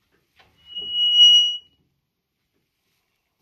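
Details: A single high, pure electronic beep lasting about one second in a quiet room, with a faint knock just before it.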